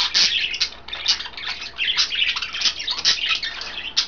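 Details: Three caged budgerigars, green, blue and white, eating kale at home; bright squeaky chirps and warbling chatter run on almost without a break.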